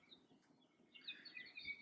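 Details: Hawaii Creeper (Alawi) in native koa and ohia forest at Hakalau Forest National Wildlife Refuge, Hawaii: a few faint tones, then a quick, high, jumbled trill of thin notes, over a soft hiss. The male's song is a rapid descending trill.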